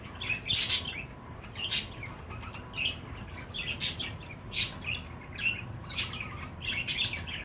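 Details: Chirping from a pet parakeet, a budgerigar: sharp high chirps and chattering bursts, roughly one a second at uneven spacing, over a soft steady low hum.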